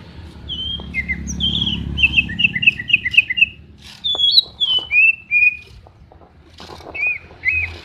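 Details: Greater green leafbird song recorded as a training reference for other birds: clear whistled notes in quick descending and rising sequences, sweet slurred phrases, over a low steady background hum.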